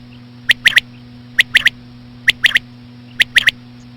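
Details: Common quail; female call; attracting quail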